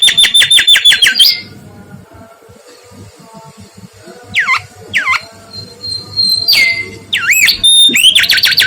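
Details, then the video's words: Lively mangrove whistler song: rapid stuttering whistled notes, a short quiet spell, two separate down-curving whistles, then looping high whistles and a buzzy closing trill. "SUARA BURUNG KANCILAN BAKAU GACOR"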